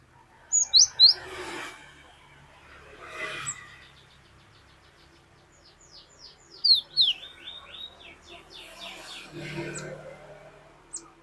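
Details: Cinereous tit (glatik batu) in a lure recording of long 'wucit wucit' singing: a few sharp high rising whistles, then a long series of repeated descending-rising notes, amid rustling and handling noise.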